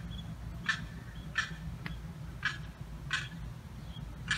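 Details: Distressed limpkin chick, lost and unable to get under a fence to reach its mother and sibling, July 4th morning; five clear, raspy high cries at uneven intervals of under a second, with faint background hum.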